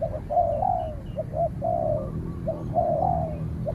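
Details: A trained decoy spotted dove and a wild rival call during a standoff that ends with the wild bird driven off. Phrases of two short coos then a long, wavering, falling coo repeat about once a second.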